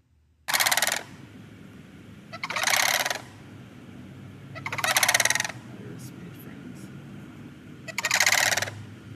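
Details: Sandhill cranes calling in Florida as Hurricane Milton, a Category 4 storm, approached the coast: four loud, harsh rattling bursts, each about half a second long, spaced roughly two to three seconds apart over faint low rumble.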